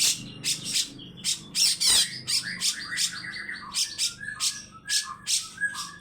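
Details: Grey-cheeked bulbul producing rasping 'besetan' notes mixed with short slurred whistles, uneven in rhythm. A faint low hum sits underneath.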